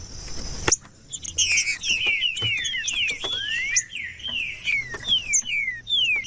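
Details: After an opening thump, green-winged saltator whistles pour out in quick descending glides, some overlapping and one rising, laid over high twittering chirps throughout. Played to wake up a cold captive bird.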